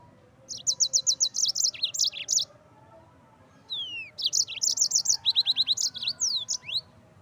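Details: Yellow-fronted canary song for training birds: two lively bursts of fast, high repeated chirps, about two per second, with falling and rising whistled slurs between them.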